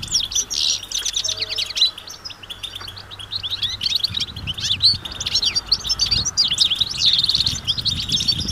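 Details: A gathering of European goldfinches outdoors, mating and readiness calls to break a male's silence; rapid high twitters and tinkling notes build in density toward the end, with light low background noise.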